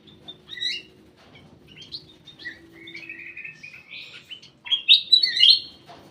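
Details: A ruby-throated bulbul kept in a private aviary gives scattered short chirps, then a run of warbled whistles ending in loud, bright, slurred notes. A faint low hum sits in the background.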